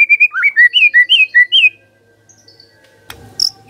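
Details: Lure song of a white-rumped shama meant to get other birds singing, a brisk series of about ten looping whistled notes alternating high and low, followed by quiet and a brief sharp high chip.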